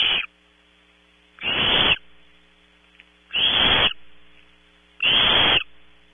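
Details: Barn owl owlets competing for prey overnight at Audubon Starr Ranch, California. Four loud, breathy, rasping hisses, each about half a second long, come at intervals of about one and a half seconds over a low steady hum.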